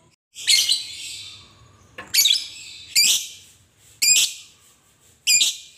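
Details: Fighter lovebird ngekek song meant to provoke other lovebirds to call: five piercing, harsh high chirps spaced about a second apart, each with a brief fading tail, in a quiet setting.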